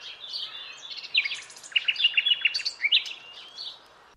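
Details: Common Nightingale singing in a blind-test recording. Varied phrases of clear whistles, a short buzzy rattle and rapid staccato notes follow one another over about four seconds, ending with a fading whistle.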